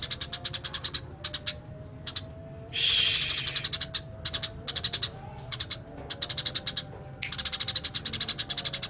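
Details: Eurasian tree sparrow in vigorous 'gacor' song: repeated rapid chirp series with short pauses, interrupted midway by a louder hissing burst with a brief thin whistle, then the quick chirping resumes.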